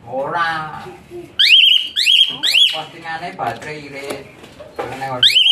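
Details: Asian pied starling training song for other birds, mixing lower nasal harmonic chatter with three quick shrill rising whistles and a final upswept note.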